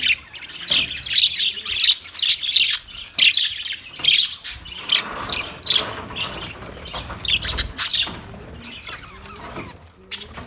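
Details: Budgie chirping from 9 March 2024, with busy, warbling high chatter in quick bursts at roughly 87 per minute. It thins out toward the end, leaving quieter squeaks.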